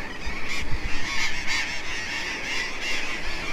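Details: Harsh, grating squawks overlap from many parrots at a huge coastal cliff nesting colony in South America, birds flying into rock holes near sunset, about three calls a second, over a steady low rumble of wind.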